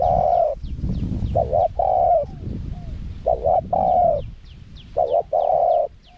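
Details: Spotted dove in wild-style song, small voice, used for luring wild doves. Long hollow coo opens, then three phrases of a short wobbling double note plus an extended even coo, with soft low background noise.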